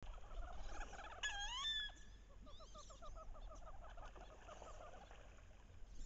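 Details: Wood duck hen vocalizing loudly in the late-October mating ritual on a bayou, where pairs chase and posture; one sharp rising squeal followed by a quick run of short, soft repeated notes against low background noise.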